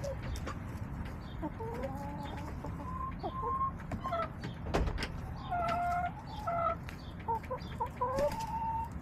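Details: Backyard hens filmed on April 27, 2024 give a run of short harmonic clucks and drawn-out calls, several birds overlapping, with scattered clicks and knocks and a steady low background hum.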